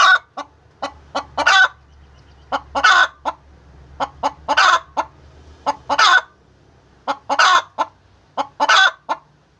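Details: Egg-laying hen giving a series of short clucks that build into loud drawn-out squawks, repeated in bursts roughly every two seconds over a faint low hum.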